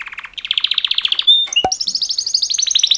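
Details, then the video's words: Male canaries in a mating-call song for training: rapid pulsed trill rising in pitch, a sharp click, then another quick high rolling trill repeated many times per second. "Super Two Males Canary Mating Call Songs"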